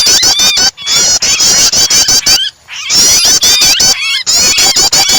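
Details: Prinia calls combined with a distressed bird to stimulate other birds' song; quick trains of hard clicks and piercing squeals, with two short quiet pauses before the noise resumes.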